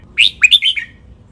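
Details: Captive red-whiskered bulbul singing a training song for birds to copy, doubled "berl" style, Pa La-u forest tune; one short phrase of four or five liquid, slurred whistled notes, falling at the end.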